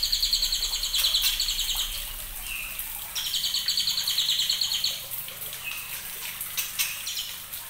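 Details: A white-rumped shama just over two months old gives fast, bright chattering trills in two bursts, with short clear whistled notes between them over a soft background hiss.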